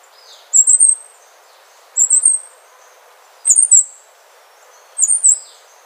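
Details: Wrenthrush, resident in Panama and Costa Rica, gives four very high, thin, rapid three-to-four-note phrases, spaced about one and a half seconds apart, against a quiet background.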